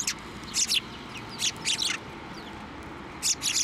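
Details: Sparrows flying to a person's hand for food at a Tenmangu shrine, November 23, 2023; clipped high chirps given in small groups with short pauses between them, over quiet background hum.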